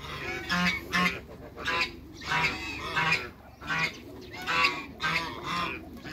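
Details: Hybrid Cayuga and mallard ducks on meeting other ducks: loud, harsh, nasal quacks in bursts, roughly eight calls over six seconds, some doubled, over a steady background hiss.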